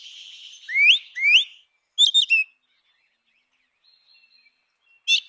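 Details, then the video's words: Song of a grey-winged blackbird: two rising whistled slurs over a faint hiss, then a fast triple of sharp bright notes, and after a pause, one final high note. "Canção do melro com asas cinzentas! Som de melro com asas cinzentas! Chamada de melro com asas cinze"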